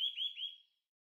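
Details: Eurasian nuthatch at a bird feeder in Uddel on 13 November 2012. Three quick, clear whistled notes run together, each dipping and then rising, and the sound fades away in under a second.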